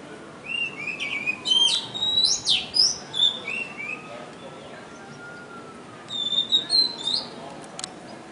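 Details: A very loud tiny bird on a river safari, 23 January 2015: bursts of high, sharp chirping notes in scattered clusters over a steady background hiss and a faint low engine-like drone.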